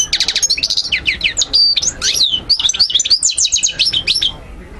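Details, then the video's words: European goldfinch singing a training song for young birds to memorise: quick bright chirps and twisting whistled phrases in a lively jumbled run, falling silent just before the end. "مقنين ملك 👑 تغريد 💯 الطيور 2023🔥💥 تسميع وتحفيز تحفيظ"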